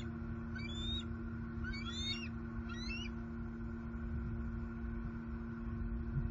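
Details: Two bald eagles wake after roosting together for the night at their nest tree in southwest Florida on 13 May 2021. Three short, high, chittering bursts come in the first three seconds over a steady electrical hum and low rumble.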